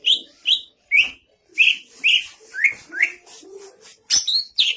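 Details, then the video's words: Cucak ijo singing: a series of clear rising-falling whistled phrases repeated roughly every half second, with softer low warbles between and a sharp high burst near the end. "Burung Cucak Ijo Gacor Vocal Nanjak"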